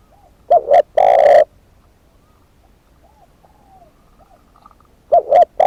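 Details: Decoy spotted dove giving a loud phrase of two quick hollow coos and a long, drawn, breathy coo. Softer distant cooing follows during the pause, then the loud phrase begins again.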